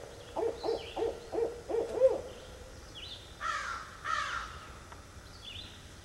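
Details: Northern Barred Owl delivers a rapid run of low, bouncing hoots. Two loud, harsh caw-like calls and scattered faint whistles from other birds follow.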